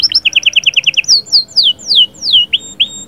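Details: Canary song meant to stimulate a female for breeding, mixing the 'sahsahat' and 'batbatat' styles: a fast run of paired chirps repeated about eight times, then slow, loud, descending whistled sweeps, with a few short upslurred notes at the end.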